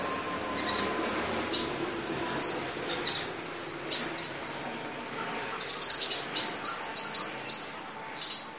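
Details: Kolibri ninja sunbird tutor song, full isian nembak, long duration: clusters of piercing high chirps and short thin trills arriving in bursts, separated by quieter gaps with a steady background hiss.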